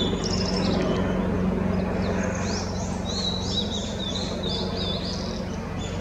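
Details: A blue-and-white flycatcher (Cyanoptila cyanomelana), seen while calling on 2 May 2016, sings high, clear warbled phrases in two bursts, set against a steady low rumble and hum.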